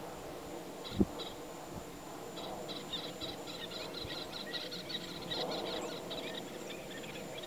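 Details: Little tern (Sternula albifrons) at the Tancat de Milia reserve, Sollana, a feeding and resting site where one of a pair offers a small fish to its mate: many short, high, sharp overlapping calls in quick bursts over a low rumble and one dull knock.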